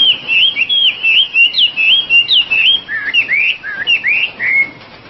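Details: Oriental magpie-robin singing energetically, giving looping whistled notes that swoop up and down. The phrases grow more spaced and lower near the end, closing with a drawn-out, fading whistle.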